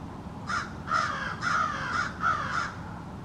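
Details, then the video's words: American crows of a small backyard family calling back and forth, five rough caws in quick succession, each call slightly different from the next. "American Crows Calling"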